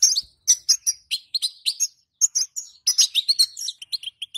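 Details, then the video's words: European goldfinch female, calling to encourage males to sing. Bright piping chirps and buzzy slurred notes come in fast, uneven sequences. "بتبتة أنثى_حذاري حذاري سنفجر الحسون مع هذه البتبته سيغرد حسونك وستلاحظ الفرق"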